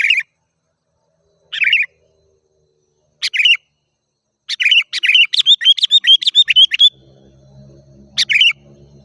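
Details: Sooty-headed bulbul song played to lure wild birds: scattered bright chirps, then a rapid run of a dozen quick notes, followed by a low hum underneath.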